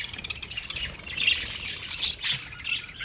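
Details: Lovebirds giving a steady stream of thin, high chirps and squeaky twitters, a few sharper squawk-like notes standing out near the end against continuous chatter.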